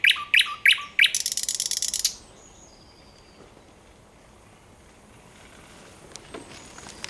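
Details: Thrush nightingale, recorded 9 August 2022, gives three or four loud, sharp notes and then a long, rapid, dry rattle. A faint whistle follows, and the rest of the recording is near silence.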